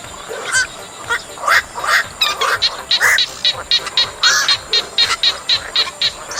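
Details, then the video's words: Black-crowned night heron calls meant to attract birds into nets: a few loud rasping squawks, then a quick regular run of short, clipped notes, nearly two per second. "Tiếng Vạc Lao Lưới Giăng"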